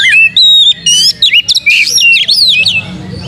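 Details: Oriental magpie-robin singing hard with tail spread as a lure song, a dense run of clear whistles, rising and falling slurs and rapid chattering notes, nearly without break.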